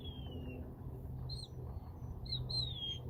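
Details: Mockingbird in crepe myrtle trees in spring, singing high thin whistles: a long falling whistle at the start, then short chirps and a final slurred whistle that rises and falls, over a low steady hum.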